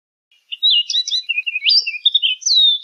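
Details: Orchard oriole song: after a brief quiet start, a lively rush of varied sweet whistles, chatters and down-slurred notes runs for over two seconds, ending on a clear falling whistle.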